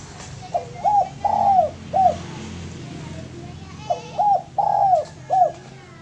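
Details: Spotted dove, a male kept as a lure bird, cooing twice in a regular phrase: two quick hooked notes, one long falling coo and a short end note, repeated after a pause of about two seconds.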